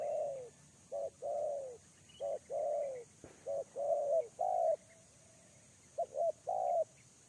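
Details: Lure-bird spotted dove cooing in repeated grouped phrases, each note a full hollow coo, some phrases longer and more drawn out, separated by short pauses over a quiet background.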